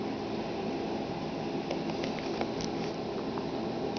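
Steady indoor room hum and hiss with a few faint ticks and no animal voice.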